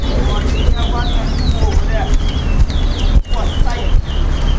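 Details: Caged chestnut-bellied seed finch, called towa towa, whistling in a two-bird contest at a Linden club: bright slurred upward and downward whistles in quick bursts, with crowd voices and a few knocks behind.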